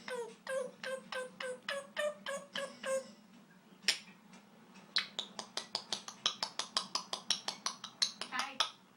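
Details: Twenty-year-old pet Congo African grey parrot improvising sounds indoors: a row of short, evenly spaced pulsed notes, a pause, then a fast rattling series of sharp clicks and pops, all over a constant low hum.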